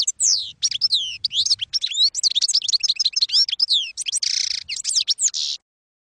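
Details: Campero-style European goldfinch song for training juveniles: sweeping high chirps and rapid twittered trills in a steady flow, a harsh buzzy burst near the end, then a final few sharp notes.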